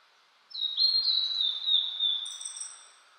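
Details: Blue-and-white flycatcher singing in mountain woods in spring 2022, after rain, cloudy and 14°C; a smooth falling whistled phrase capped by a thin, very high sustained note, over light background noise.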